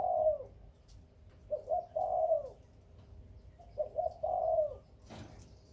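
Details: Breeding spotted dove of Khmer and Malay lines, cooing rhythmically: a descending coo, then two phrases of quick double notes rolling into a sustained, gently falling coo, and a sharp knock near the end.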